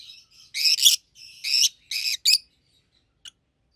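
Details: Pet rosy-faced lovebirds, one yellow, one green, both red-headed, giving a series of loud raspy screeches in groups of two, then a single faint click after a pause.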